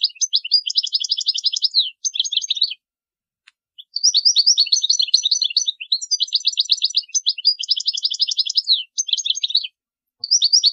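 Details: European goldfinch singing, meant as a model for young birds to learn from: long runs of fast liquid twitters and rattling trills in several phrases separated by brief pauses, nothing else audible.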